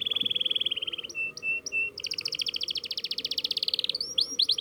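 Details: Canary learning to roll: high rapid trilled rolls, short steady whistled notes, then a long fast rattling trill and sharp rising chips, over low background hiss.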